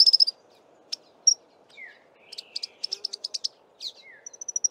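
African firefinch giving high, thin pips in quick series, a few lower down-slurred whistles, and a short fast trill at the end, over a steady low hum.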